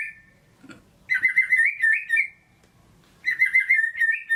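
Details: Lively 'gacor' song of a white-rumped shama, played to stir lazy birds: two rich warbling whistled phrases separated by a silent gap of about two seconds.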